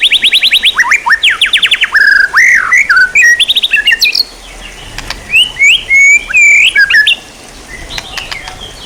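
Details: White-rumped shama song for training songbirds: a run of rapid harsh rising notes, then varied loud whistled phrases and slurs, with several clear strong notes repeated toward the end.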